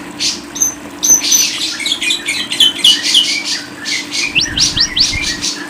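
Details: Lovebird chatter of squeaky high chirps and a few thin whistles, ending in a series of quick rising squeals, with a low steady hum in the background.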